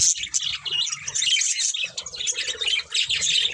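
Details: Short burst of budgerigar chatter: rapid bright chirps and squeaky warbles pile over each other continuously, over a faint low hum.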